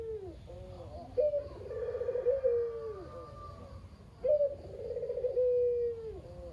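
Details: Local Barbary dove of the kugeru kind, a lone kept bird called very noisy, its coo meant to stir quiet doves into calling. Two coos about three seconds apart, each a short rising note, a trilled middle and a long falling end.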